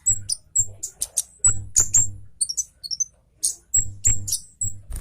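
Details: Agitated Javan orange-headed thrush singing fast with dense sharp bursts. Its high twittering chirps and slurred whistles come in quick bursts, with dull low thumps underneath.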